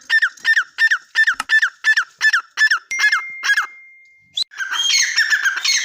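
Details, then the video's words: Teetar partridge giving a rapid row of evenly spaced, sharp downslurred notes, about three per second, followed by a thin steady tone and then a rougher, rasping burst of overlapping calls. "teetar voice | teetar ki awaz | teetar sound | dakniteetar ke awaz | teetar boli"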